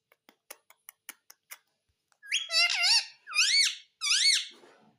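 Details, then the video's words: Indoor pet parrot: a series of light clicking taps, then three strong harmonic speech-like syllables with rising and falling inflection, about a second apart. "Talking parrot || Mitthu mitthu || Tota Tota"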